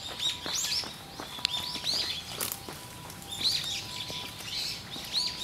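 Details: Eyebrowed thrush giving short bursts of thin, high, arching calls separated by brief pauses, over a steady faint tone and light background noise.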